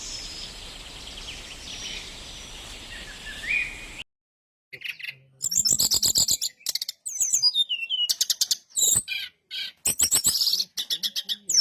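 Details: Brown-chested jungle flycatcher song used as a lure to draw replies from others of its kind: after a hissing start, rapid high chirps, sharp whistles and buzzy trills burst out in quick bunches.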